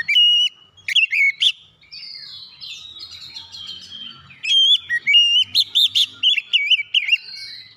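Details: Oriental magpie-robin lure song for magpie-robins that will not sing: a steady whistle and short notes, a subdued warbling interlude, then a lively run of about ten loud, dipping whistled notes.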